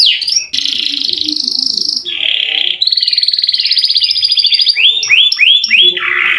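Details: Canary lure song for quiet canaries, mixing buzzy steady tones, a long pulsed high roll, and a run of four curved whistled notes, with faint low murmurs beneath.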